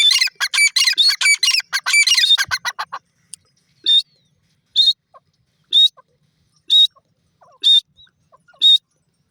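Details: Grey francolin, known locally as teetar, opening with a rapid burst of harsh, overlapping chattering notes that break off into single loud, high calls spaced about a second apart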